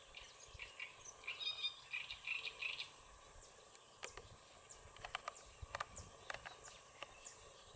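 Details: European bee-eater at the Soča river mouth nature reserve, Slovenia, on 1 June 2023, giving a quick cluster of rolling, liquid calls over about two seconds, followed by scattered sharp clicks and soft background hiss.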